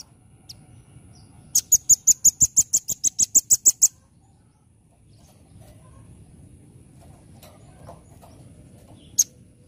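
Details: Velvet-fronted nuthatch in full 'nembak' singing: after a soft lone note, one sustained burst of about a dozen rapid, sharp, high-pitched notes delivered evenly over two seconds, then quiet with a couple of isolated high chips.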